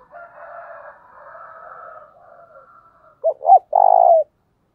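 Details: Spotted dove calling hard, played to lure wild doves into calling back. Faint wavering background calls give way to two quick hoots and one long, low, slightly falling coo.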